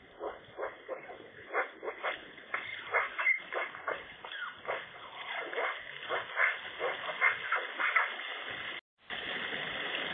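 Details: Eurasian magpie singing at the nest while others contest its ownership on a sunny, chilly day; dense, fast series of scratchy chattering notes about three per second, with a brief dropout near the close.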